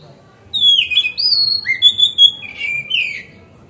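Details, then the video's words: Oriental magpie-robin singing as a lure to make other magpie-robins spread their tails: a run of loud whistled phrases, sliding and falling notes alternating with short bright upslurs, delivered in quick succession over a faint low hum. "Pancingan Kacer Gacor Ngeplong Santai Bikin Buka Ekor Kacer Lain"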